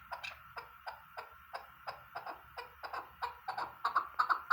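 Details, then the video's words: Chukar partridge gives a run of harsh clucking chuk notes, about three a second, growing louder and more urgent toward the end over a faint low hum. "shikr chakor masti awaz keklik sesi"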